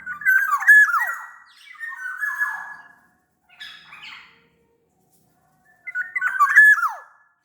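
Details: Sumbawa black-naped oriole singing lively, a lure recording for other orioles: rich whistled notes blended with rasping, descending squawks in bursts, a quieter scratchy phrase between them, then a final loud burst.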